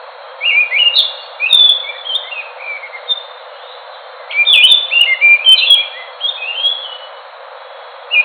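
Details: An Enggano thrush, a songbird found on Enggano island in Indonesia, delivers two loud bursts of rich whistled phrases separated by a quiet spell, then starts another at the end.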